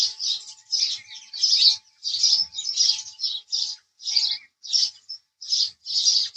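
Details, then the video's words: Repeated house sparrow chirps, about a dozen evenly spaced, harsh, slightly buzzy notes with short pauses between them, over a faint steady hum. "house Sparrow Chirping Sound"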